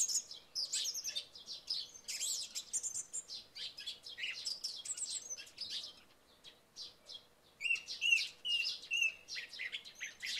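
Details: Song thrush singing in early morning after night rain, with sparrows chirping; dense high chirps and twitters, then a clear phrase repeated three times about once a second near the end.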